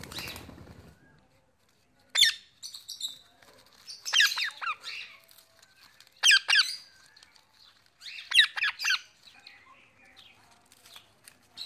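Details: Calling his mates, a pet male Indian ringneck parakeet gives repeated pairs and triplets of harsh, screechy squawks about every two seconds. A brief low rumble opens the sequence, and softer squeaks fill the pauses.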